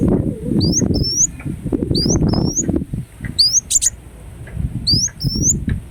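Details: Ruby-cheeked sunbird (kolibri wulung) singing pairs of thin, high upslurred notes every second or so, with one brief sharp click and a low rumbling background.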